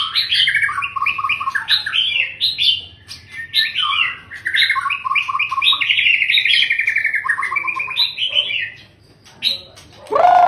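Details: Long-tailed father white-rumped shama singing well: a lively stream of clear whistles and rapid repeated trilled notes, rising and falling in quick phrases for about nine seconds before a pause and a short harsh sound at the end.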